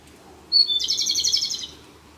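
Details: Japanese robin singing close by on the sixth and final day of its six-day stay at a familiar local field site, in a dark spot: one high, clear whistled note, then a rapid, dense rattling trill lasting about a second.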